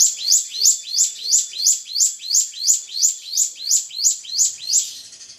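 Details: Drongo provoking a rival with a steady, evenly repeated high chirp, each note a quick rising-and-falling sweep with a buzzy tail, about three per second, fading slightly at the end, with no other sounds.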